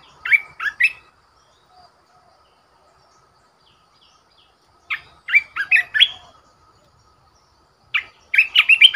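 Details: Red-whiskered bulbul decoy bird repeating short, lively phrases of bright whistled notes about every four seconds. Each phrase has three to six quick notes, the last one the fullest and longest.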